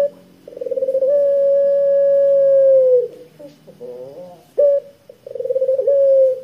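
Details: Barbary dove of the pelung strain, used as a lure for other doves, cooing with a full, long 'kwook'. A pulsed start leads into a sustained level note of about two seconds, then short rising notes and a second pulsing coo.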